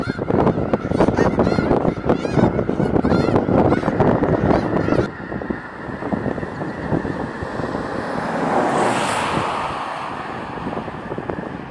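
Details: Large flock of migrating snow geese in Skagit Valley, Washington, April: a loud mass of overlapping honks for about five seconds, then fading to distant calling under heavy wind rumble.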